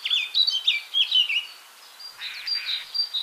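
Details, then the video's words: In the morning, a Eurasian jay gives its unusual, unidentified imitation call: a quick, varied run of squeaky, chattering high notes, then two short buzzy, rasping bursts over a faint background hiss. "De onbekende roep van de Vlaamse gaai"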